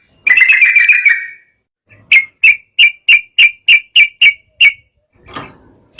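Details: Agitated sooty-headed bulbul song meant to provoke rival birds: a rapid bubbly phrase, then ten sharp chip notes repeated about every third of a second, ending with a faint rustle.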